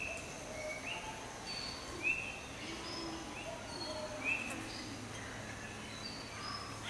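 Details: Rainbow bee-eater in Australia giving two short, high, slurred call notes about two seconds apart, with faint chirps from other birds and steady background hiss.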